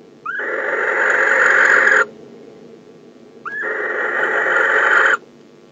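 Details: Inside a nest box in December, a male barn owl calls to the female arriving home. Two drawn-out, rasping hiss-screeches, each opening with a brief rising squeal and lasting under two seconds, with a quiet gap between.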